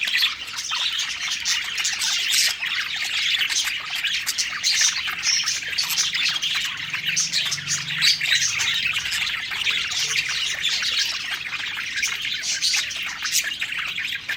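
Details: Several parakeet budgies singing and eating contentedly, a steady stream of fast chirps, squeaks and warbled notes overlapping throughout, with a faint low hum in the background.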